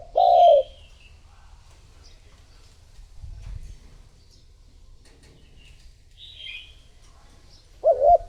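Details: Decoy spotted dove luring other doves: a single low coo at the start and another at the end, separated by quiet background with faint high chirps from small birds.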